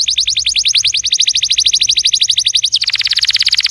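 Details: Canary song used to prompt a silent canary: a quick series of repeated rising chirps, then a sudden switch to a dense, bright, rapid trill.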